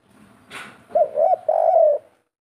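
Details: Local wild spotted dove singing vigorously in the three-note type. A brief click is followed by three mellow, hollow coos, the last one drawn out and falling, in a quiet setting.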